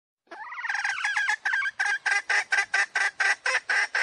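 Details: Hen calling as a decoy to draw wild roosters: a quick bubbling trill of descending notes opening into a regular series of harsh clucks, roughly two to three per second.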